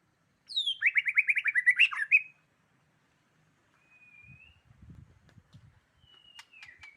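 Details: White-rumped shama of the Medan type singing: a rapid, rhythmic trilled phrase of about a dozen notes, followed after a pause by thin, drawn-out whistles, with soft low thumps in the background.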